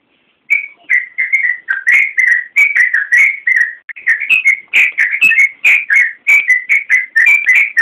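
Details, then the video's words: Yellow-vented bulbul singing continuously in full, varied 'gacor' form for a songbird-training recording. After a brief silence, chattering, liquid whistles pour out in quick bubbling phrases, rising and falling. "Suara Burung Trucukan Masteran Trucukan Gacor Full Isian Kicau"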